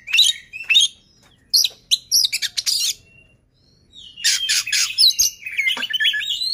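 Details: Oriental magpie-robin song meant to make other magpie-robins start singing: varied high whistles and harsh, scratchy notes in irregular phrases, a pause, then a dense jumble of chattering, sweeping notes.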